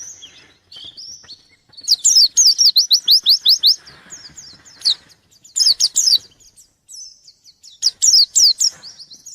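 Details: White-eye song aimed at a rival: soft high twitters, then three loud bursts of quick, downward-slurred whistles repeated around three per second.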